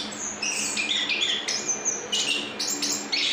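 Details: Chestnut-backed thrush in continuous rolling "ngrol" song: a loud, unbroken stream of varied high whistled notes and trills, phrases running straight into one another without pause.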